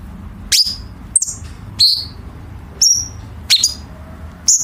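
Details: Chinese bulbul song used to tutor competition birds, full of sharp harsh fill notes. Shrill chirps, some slurring downward and some flat, sound singly at uneven intervals about once every second or two against soft background rumble.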